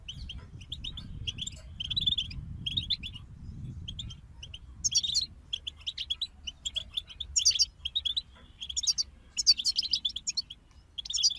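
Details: European goldfinch group: soft, scattered chirps give way to louder bursts of fast tinkling, twittering song with sharp high notes, over a faint low rumble.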